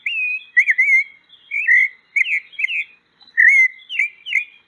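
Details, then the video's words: A pale-breasted thrush (sabiá-poca) sings a run of clear, warbled whistled phrases, each about half a second long, rising and falling, with short pauses between them. "O Canto da Sabiá Branca. Sabiá Poca cantando."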